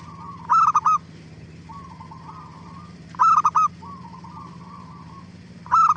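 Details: Zebra dove lure song meant to provoke other doves to answer: loud clipped three-note cooing phrases near one pitch, repeated about every two and a half seconds, with softer trilled coos between them and a steady low hum.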